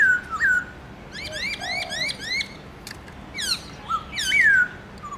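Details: Garrulax chinensis, kept as a songbird, singing a varied forest-style song in the morning: a looping whistle, a rapid run of rising chirps, a low soft note, then loud descending whistled slurs.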